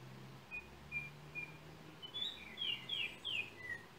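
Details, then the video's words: Yellow oriole, Trinidad, with a cell phone used in making the recording: three thin whistles spaced about half a second apart, then a burst of mellow, slurred falling whistles and a closing lower note, over faint hum. "Yellow oriole bird of Trinidad"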